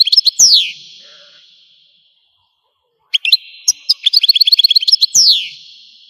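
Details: Algerian European goldfinch song: quick chirps and a falling slurred note, about a second of silence, then sharp notes building into a rapid bright trill ending in another descending slur.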